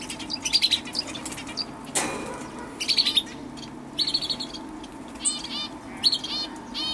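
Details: Common chaffinch recorded on 20 October 2012: short bright bursts of high chirping notes and brief rapid trills, repeated in separate phrases, with a sharp rustle or flutter near the two-second mark over faint steady background hiss.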